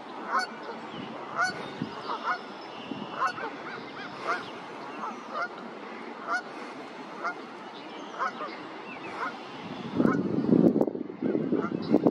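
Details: A flock of Brant geese at Ste Catherine on 1 May 2023 gives low, rolling, guttural calls, a steady murmuring chorus with a louder burst near the end.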